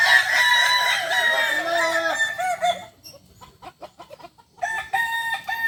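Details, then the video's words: Kukuak balenggek rooster at a practice contest final in Kota Solok's Ampang Kualo, 8 September 2024; a long, warbling crow lasts nearly three seconds, tapping sounds follow, then a wavy crow returns with repeated dips. "Final latberan ayam kukuak balenggek"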